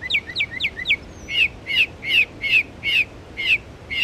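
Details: A northern mockingbird at Belle Isle Marsh Reservation, East Boston, Massachusetts, mimics other birds' songs. Quick wavering high notes are followed by rich slurred chirps repeated roughly every half second against a quiet background.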